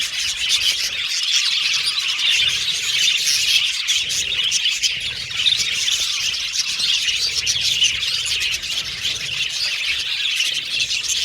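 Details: A flock of pet Australian budgies chirping and whistling nonstop, many thin high twittering notes layered together into a busy, even chorus with brief sharper chirps standing out.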